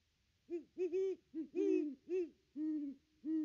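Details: At the nest tree on 25 December 2021, a wild Great Horned Owl hoots while its mate visits; low, hollow hoots come in quick uneven groups, two and three close together, then longer single notes, in a still setting.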